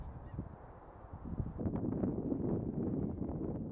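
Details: Migratory bean geese in a large flock: quieter low chatter swells after a second and a half into a thick mass of overlapping nasal honks and gabbling notes that continues to the end.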